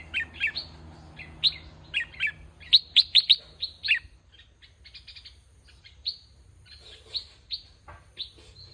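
Bulbuls give bright, chirpy notes, short rising and falling phrases around mid-high pitch, with a quick run of four sharp notes and scattered softer chirps after.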